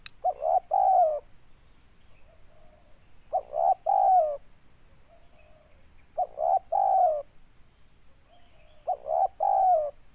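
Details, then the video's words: Indonesian local spotted dove kept as a trapping decoy, said to have a big voice. Four evenly spaced coo groups about three seconds apart, each a brief stutter then a longer falling coo. A soft hum lies in between, and a steady high whine continues. "Mikat burung tekukur suara boleh lah"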